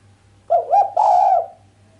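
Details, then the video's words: Female island collared dove giving a sharp cooing call without the closing 'kuk', a sound said to excite the male: two quick rising notes, then one drawn-out, steady coo, over a low electrical hum. "Suara derkuku betina mbekur tajam tanpa kuk bikin sang jantan greget"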